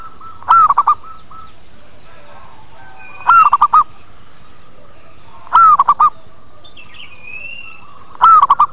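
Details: Zebra dove lure call played to make birds come and answer, four phrases of a rising-falling coo followed by three to four short coos, about every two and a half seconds, with soft whistling of another bird between phrases.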